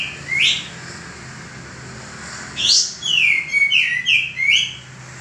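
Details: Male common iora song for training cage birds, with a lone upswept note, a pause, then a rising note and a fast string of downslurred whistles.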